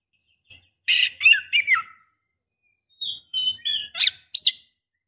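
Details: White-rumped shama female, in breeding condition, calling for a male: rapid scratchy notes and short descending whistles, then after a pause a sequence of thin rising whistles and sharp chips.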